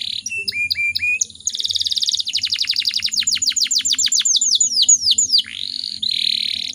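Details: Canary hen in breeding condition, whose song is used to make other canaries sing: short slurred whistles, then a long accelerating trill of sharp downswept notes, ending with a harsh buzzy phrase.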